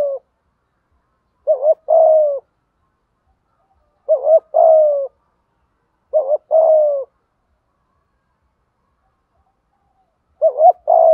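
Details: Spotted dove training call used on freshly caught or stubborn captive birds; well-spaced low coo phrases, each a short doubled note leading into a longer descending coo, repeated every two to four seconds.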